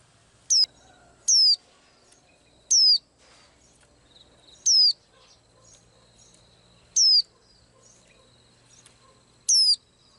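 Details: Small blue-eyed bird said to sing every day, giving loud, clear, high whistled notes that slide downward, each a brief ringing phrase repeated at irregular intervals of one to two seconds against a quiet background.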